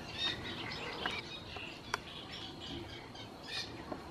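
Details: Great reed warbler fledglings at Lagunas de La Guardia (Toledo), waiting for their parents to feed them, give short, harsh, scratchy begging chirps at irregular intervals over a steady rustling background.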